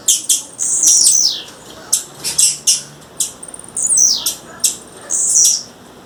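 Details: Wild female blue-black grassquit calling: rapid, high chips and shrill whistled notes in an almost continuous series, including a descending slurred note near the middle.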